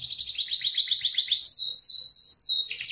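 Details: Canary song: a fast trill of high repeated notes, followed by a series of clear downward-sweeping whistled notes, then another rapid trill.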